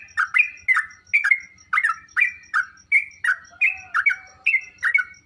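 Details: Sooty-headed bulbul song meant to make kept bulbuls reply: evenly spaced bubbly double notes about twice a second, with a faint low buzz and a high ticking in the background.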